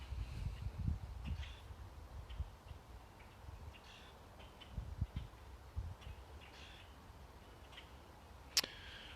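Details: Several male Red-winged Blackbirds in a backyard give short, harsh territorial chuck calls to warn off other males as they seek territories and females, scattered every second or so, over a low wind rumble, with one sharp click near the end.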